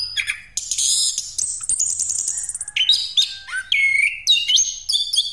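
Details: Orange-headed thrush giving a full rolling 'ngeroll' song as a lure for other birds: rapid high chattering, then descending whistled notes and sliding phrases, rich and varied, loud throughout.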